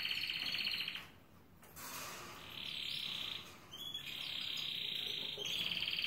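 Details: Caged Belgian canary of harlequin colouring singing toward a female set beside it, the female not yet receptive: long, even, buzzy rolled trills held for a second or more, broken by a short pause, then resuming steadily.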